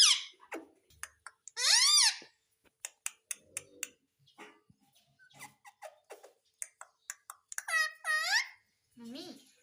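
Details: Ringneck parakeet that talks, saying "mummy": scattered clicks and soft ticks around two loud, harsh harmonic phrases that curve down in pitch, one early and one near the end.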